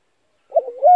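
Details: Spotted dove calling, used as a lure for trapping: a short, low, soft cooing phrase of wavering notes rising at the end, cut off by a sharp click.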